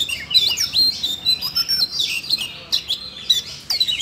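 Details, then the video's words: Siberian rubythroat bursting into song in response to training audio played for a young bird; hurried high warbling with scratchy notes and sweeping whistles, in uneven rapid phrases. "làm chú oanh cổ đỏ nổi hứng hót chuyện"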